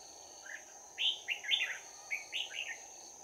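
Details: Red-whiskered bulbul delivering a lively 'bell voice' fighting song while being trapped, 11 January 2019: two fast groups of liquid, rising and falling whistled notes, clear above a steady insect buzz.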